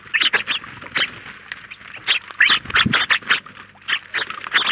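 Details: A flock of house sparrows, about nineteen together at a feeder in Collado Villalba, Spain: loud, repeated short chirps close to the recorder, two to three per second, over softer background chatter.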